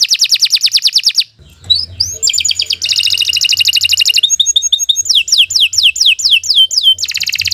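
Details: Canary tutoring song for young birds, long and unbroken: buzzy rapid trills, a brief low hum at one point, then metallic rolls and fast descending whistled sweeps, high-pitched and energetic.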